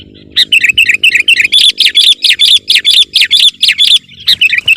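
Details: Sooty-headed bulbul singing vigorously to overpower rivals: a fast run of bright, chirping whistled notes, repeated about twice a second with short gaps, steady and loud throughout.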